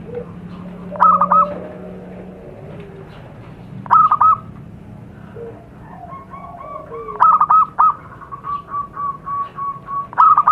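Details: Zebra dove recorded in the wild as a lure sound for wild doves: short stuttering cooing phrases, three or four quick notes ending in a rolled coo, repeated about every three seconds. Softer cooing from other birds and a low hum sit underneath.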